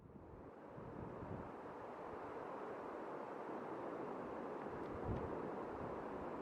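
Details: Steady roaring wind buffets the microphone throughout, with a low rumble and no animal voice.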